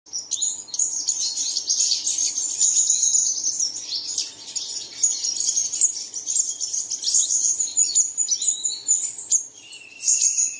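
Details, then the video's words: Bird song played in the early morning to prompt caged birds to sing: a dense, continuous high twittering of rapid chirps and thin trills that runs without pause for the whole stretch. "Bật Tiếng Chim Này Lên Vào Sáng Sớm Chim Của Bạn Sẽ Hót Ngay"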